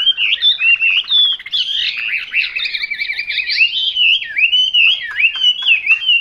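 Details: A Vietnamese "họa mi mộc" Chinese hwamei delivers a strong, varied song. A brief stuttering rattle gives way to bright rising and falling whistles and rolling slurred phrases, sung continuously and loudly against near silence.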